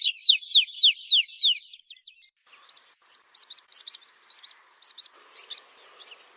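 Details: Rock pipit: a series of descending slurred whistles repeated about three times a second, then quick short ticks and a scatter of sharp high chips, with faint lower background sound.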